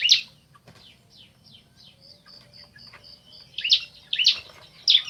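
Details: Bar-winged prinia pair, male and female, calling in reply: one loud scratchy chirp, then soft, thin, descending notes and a faint steady high tone, before three loud buzzy chirps near the end.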